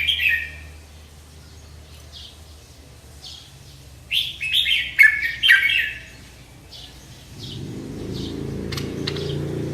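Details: Bulbul called Merbah Lekir giving its sweet song: a short opening note, then one rich burst of chattering, liquid whistles, with a faint low rumble starting near the end.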